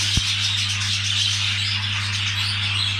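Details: Mating budgerigars produce a busy stream of high, scratchy warbles and chirps, many birds overlapping, with one short click near the start and a constant low hum beneath.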